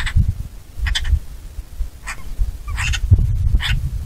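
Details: Rasping, chattering notes from a Eurasian magpie, five short bursts spread unevenly across a few seconds, with heavy low wind noise throughout.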